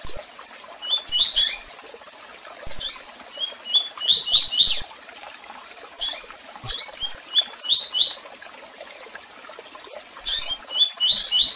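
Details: Double-collared seedeater giving tui-tui style song mixed with chirps and calls: bright, rapid runs of high slurred notes alternate with sharp single chirps in repeated bursts separated by short pauses.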